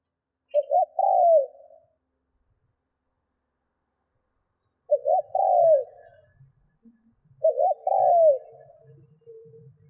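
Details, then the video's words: Spotted dove acting as a decoy to lure wild doves delivers three spaced phrases of quick double notes and a falling coo, several seconds apart, over a faint low rumble in the background. "Chim cu gáy mồi Thúc - Gù hay kích bổi"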